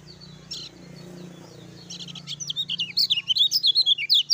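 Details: Lemon-bellied white-eye, 'ciak ciak jos' song style: after a faint note and a short quiet stretch, a rapid, building chatter of high, sharp, down-slurred whistles, about two to three a second, growing louder toward the end.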